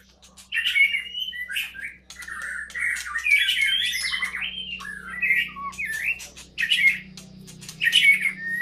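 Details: White-rumped shama at a breeding site delivering harsh, squawking bursts mixed with whistled slurs, phrases spaced about a second apart, over a low steady hum.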